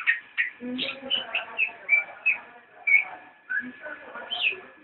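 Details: Cicak rowo, or straw-headed bulbul, singing in nyinden style: bursts of chattering, whistled notes with quick rising and falling slurs, grouped in short phrases with brief gaps and a steady faint hum behind.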